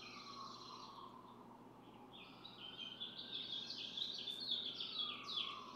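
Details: Barn swallow (Hirundo rustica) at a nest of four eggs under incubation; scratchy twittering rises after a quieter start while a long, wavering siren sounds throughout in the background.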